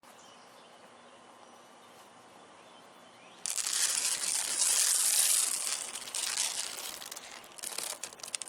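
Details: Faint outdoor hum, then sudden loud crackling and rustling as if something is handled close by.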